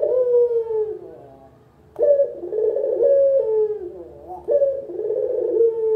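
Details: Purring coos of a local collared dove, meant as lure and tutor sound: a drawn-out falling note, a short pause, then two vibrating, rolling coos with a quick upward flick between them.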